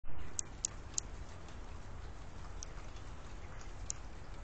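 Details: A hummingbird calling on 7 December 2020, giving a few sharp, very high ticking chips, three in quick succession and then two more spaced out, over a steady low rumble.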